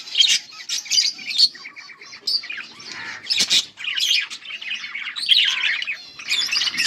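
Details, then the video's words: A pair of pet budgerigars, Australian parrots, chattering busily: dense, scratchy warbles and sharp chirps between mid and high pitch, with bursts of buzzy squawks, all running together almost without pause. "My Beautiful Australian parrots pair 💛💙Budgies full masti"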